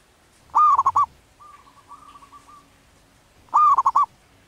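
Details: A wild zebra dove in breeding condition repeats a phrase of rapid, mellow coos twice, about three seconds apart, with a long, soft, wavering whistle between them.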